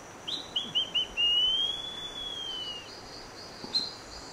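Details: Rufous piha in Costa Rica, giving a loud whistled call: three short rising notes, then a long, clear, slightly rising then falling whistle lasting over a second, a single brief note following.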